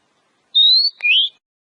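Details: Oriental magpie-robin in the wild, singing for a lure recording: a long, steady, gently rising whistle, a brief click, then a lower upward-sweeping note, all bright and clear against silence.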